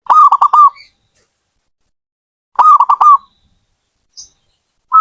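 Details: A zebra dove repeats a loud, clipped cooing phrase of four or five rapid notes twice, about two and a half seconds apart. A faint high click follows.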